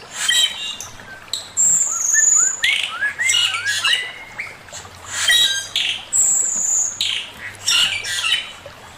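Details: Male Chinese hwamei in master song, alternating loud, harsh, rich phrases with a quick series of small rising whistles and long, very high, steady whistled notes.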